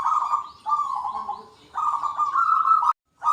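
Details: Local zebra doves calling back and forth in the big 'kung' voice. Two rapid, trilled coo phrases, the second rising a little at its close and stopping abruptly. Faint thin chirps sound above.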